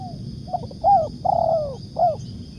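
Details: Spotted dove (tekukur) lure call for bird catching: short stuttered notes, then a rounded coo, a long downward-sliding coo and a final arched coo. Mellow, low-pitched throughout.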